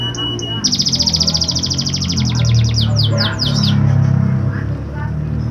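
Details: Canary song meant to stimulate canaries reluctant to sing: after a few chirps, a loud, very fast high trill lasting about two seconds gives way to slower, downward-sweeping whistled notes, with low hum underneath.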